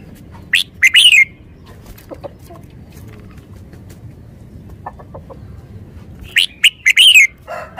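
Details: Red-whiskered bulbul used as a decoy bird in Thailand, delivering a crisp, fast phrase of rising and falling whistled notes, a quiet pause with soft clicks, then another bright phrase.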